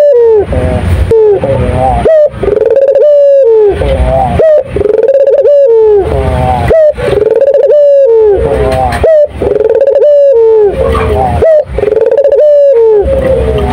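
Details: Turtle dove singing actively, recorded loud and close: a long series of drawn-out, slurred coos, each with a sharp rising note that then falls away, repeated roughly every two seconds with brief gaps between phrases.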